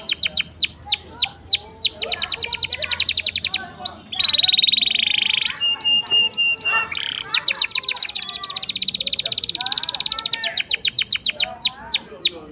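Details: Long rolling canary song used as a lure for canaries that will not sing: fast chopped trills alternate with loud steady buzzy rolls and brief whistled notes, continuous and high-pitched.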